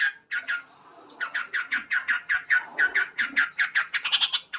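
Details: Loud gacor-style morning singing of a male sooty-headed bulbul: a few opening notes, a short gap, then a fast run of clipped, bright "cuk cuk" syllables, rising to higher-pitched notes at the close.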